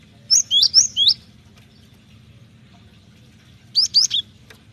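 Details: Cinereous tit song used as a lure for training birds: two bright, high whistled phrases, the first of four quick sliding notes, the second of three, separated by a pause of about two and a half seconds over a low steady hum.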